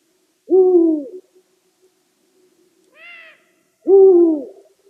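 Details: Deep, slightly descending hoots from a Eurasian eagle-owl, repeated about three seconds apart, with a short, higher, nasal-sounding call between them; still background.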